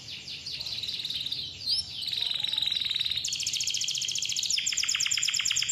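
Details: Canary singing to coax young or quiet canaries into song: quick high twitters, a brief rising whistle, then a long even buzzing roll followed by rapid loud rattling trills.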